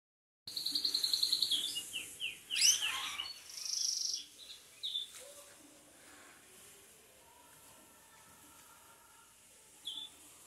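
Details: Belgian canary sunbathing: a brief burst of rapid high trills and descending notes at the start, followed by scattered short chirps over a quiet background with a faint low steady hum.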